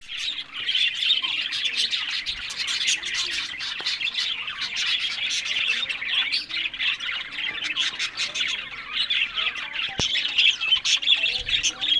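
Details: Pet budgerigars kept for breeding chatter together in a dense, continuous flock warble of rapid chirps and squawks, with sharp clicks scattered throughout and no other sounds standing out.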